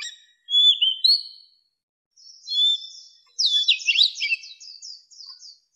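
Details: Old wild Oriental magpie-robin sings clear, high whistles, then a rapid run of varied, sweet phrases and trills over a quiet background.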